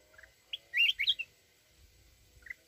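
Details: A mountain red-whiskered bulbul sings its wild forest-voice song to provoke rivals. A single soft note leads into a loud, fast, rolling phrase of bright warbled whistles, ending with a brief quiet chirp.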